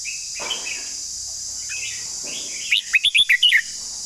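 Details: Red-whiskered bulbul giving a long song: after a faint opening, a quick burst of six or seven clear, whistled, slurred notes rising and falling near the upper middle range, over a steady high insect-like hiss.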